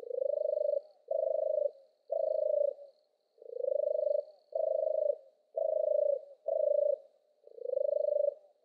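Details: Sustained purring from a European turtle dove, nine pulsed notes in quick pairs and triplets, some swelling upward in pitch, with a faint high hiss in the background.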